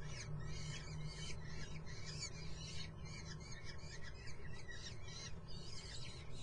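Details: Kestrel nestlings at Muttenz calling insistently, a continuous chorus of scratchy, wavering squeals that rise and fall in short bursts, with a persistent low droning noise underneath.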